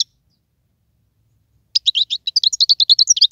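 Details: Wild European goldfinch singing: after a silent stretch, a fast burst of high, bright twittering chirps runs on for about a second and a half, notes tumbling closely together with no other sounds.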